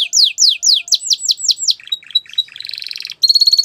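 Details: Gloster canary singing: a run of repeated downward-sweeping whistled notes, then a stuttering, scratchy section, a short buzzy roll and a bright, high, even trill at the end.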